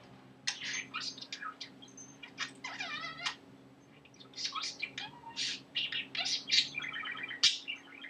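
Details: Male talking budgerigar that has learned new words and phrases and random laughter; dense run of rapid scratchy chattering syllables with a drawn-out ladder-like warbling phrase in the middle, steady faint indoor hum beneath.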